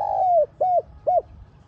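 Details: Spotted dove call for luring wild doves: one long, smooth, slightly falling coo followed by two short, arched coos, clear and close against a faint low hum.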